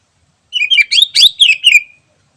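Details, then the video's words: Greater green leafbird in the wild, recorded as a lure: a rich, fast phrase of slurred, twittering whistles lasting about a second and a half, with clean background. "Suara Asli Cucak Ijo Alam Liar Cocok Buat Pikat"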